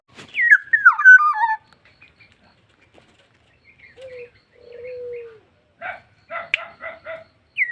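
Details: Black-naped oriole opens with a quick, tumbling, falling whistled phrase. Two low, drawn-out fluty whistles follow, then a run of short, harsh, nasal notes.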